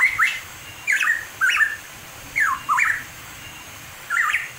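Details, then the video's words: Pitohui song from the East Java highlands: five clear whistled phrases with zigzagging pitch, spaced irregularly under a second apart, over light steady hiss. "the sound of birds in the wild (pitohui)"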